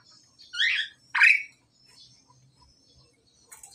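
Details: Pied myna, male and female in the pairing process: two loud grating squawks in quick succession, then near silence and a faint scratchy note.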